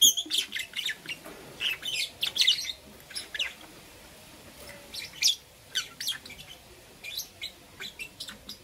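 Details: Morning chirping from two green opaline lovebirds, a lively run of sharp, high, scratchy chirps in quick clusters, repeated every half second or so with brief pauses, nothing else prominent.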